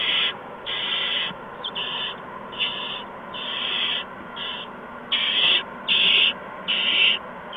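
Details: Owl at a nest during evening food deliveries to owlets, March 13 2015, around 8 PM: harsh, hissing screech-like bursts, roughly one per second and uneven in length, with steady background hiss.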